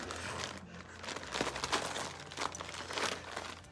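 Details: Crinkling and rustling, like paper or plastic being handled indoors, with no animal sound heard.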